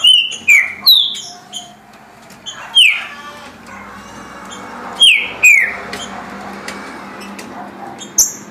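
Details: Green-winged saltator singing at a rate of 17 songs a minute: loud whistled phrases, each a sharp note sliding downward, given in short bursts with brief pauses, over a faint low hum.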